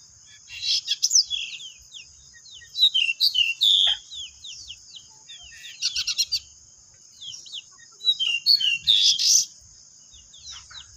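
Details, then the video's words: Three pied bushchats singing at a song contest: a busy jumble of high, sharp chirps and quick twittering notes in bursts, with pauses between phrases and a steady high hiss throughout. "3 BURUNG DECU NGEPLON Rumah rasa di kontes"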